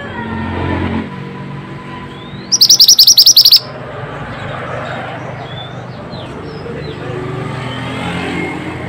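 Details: Pied bushchat song, used as a lure for silent birds: one loud, fast trill of about ten sharp high notes in roughly a second, after faint whistles and a low background hum.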